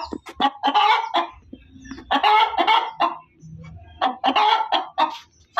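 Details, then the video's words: Loud female chicken call of repeated, raspy, nasal squawks in three clusters, with soft low background rumble in the gaps. "SUARA AYAM BERKOKOK KERAS || suara ayam berkokok betina"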